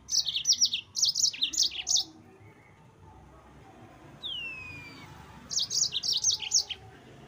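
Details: Song of a yellow-fronted canary used to rile rival birds: two bursts of fast, high, chirping trills framing a quiet stretch with one drawn-out falling whistle.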